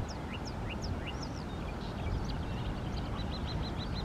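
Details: Marsh warbler heard on a morning walk in Poortugaal, Netherlands, singing a varied run of high, thin slurred notes, ending in a quick string of repeated chirps, over a steady low rumble of wind or traffic.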